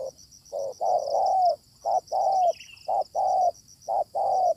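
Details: Wild spotted dove answering a decoy bird during trapping: low, hoarse coos in phrases of a short note followed by a longer drawn-out coo, repeated steadily, with a constant high insect hum behind.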